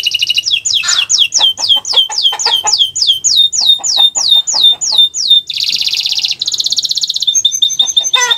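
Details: Canary song for training other birds: repeated falling whistled notes speeding along, then a harsh buzzy trill and a thin high phrase at the end.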